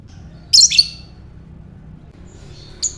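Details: Lovebird giving a call meant to prompt ngekek, its long chattering call: one loud, shrill double squawk early on, a faint thin note later and a short sharp chip at the close.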